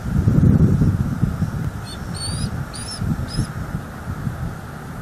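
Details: Bald eagle at its nest in NEFL, vocalizing during an afternoon of flying in and out and watching the skies; three thin, high chirping notes about half a second apart over heavy wind rumble.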